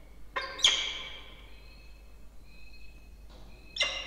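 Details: Two peregrine falcon chicks being fed in a nest box on a water tower at Charles Sturt University, Orange, New South Wales, Australia, 20 October 2024; harsh screechy bursts near the start and end, with a thin steady whine between.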